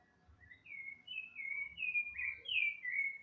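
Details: Rufous-bellied thrush song: a run of clear whistled phrases around mid-high pitch, several slurred notes following one another at a steady pace, with faint low rumbling noise underneath.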